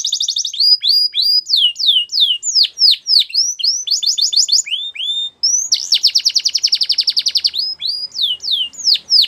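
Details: A male canary delivers continuous high song: repeated descending whistled slurs, short rapid trills, a brief pause, then a long dense buzzy roll followed by more falling whistles, clean with no background noise.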